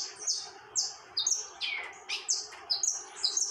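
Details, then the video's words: Saffron finch in continuous song, giving bright, piercing chips and downward-slurred whistles in short clusters about twice per second, with faint background hum. "Canário da Terra TORMENTO canta sem parar"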